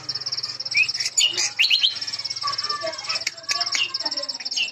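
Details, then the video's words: Jambu bird from West Nusa Tenggara, a first-place contest champion, singing in bright high chirps and short rising whistles amid a steady shrill background tone and overlapping chatter. "JAMBU KACOI KARII GACOR PULL"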